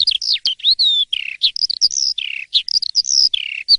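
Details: In the morning an Asian pied starling sings vigorously, mixing clear drawn-out whistles, falling slurred notes and quick chirps in an irregular, nonstop high-pitched stream.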